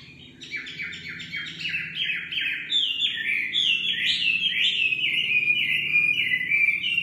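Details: Nightingale singing a loud, varied song of rapid repeated notes, each phrase sliding downward and stepping higher through the strophe, delivered steadily over quiet background.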